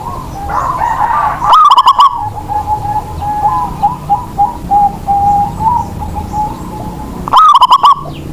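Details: Zebra dove, a local lure bird meant to get reluctant doves singing; two loud rapid stuttering coo bursts about six seconds apart, with a run of softer cooing from other doves between them.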